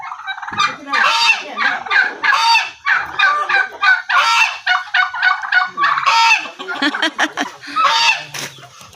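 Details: At Pudunamai village, several large turkeys give rapid rattling gobbles and harsh honking calls in overlapping quick bursts for nine seconds, with a person's voice briefly heard.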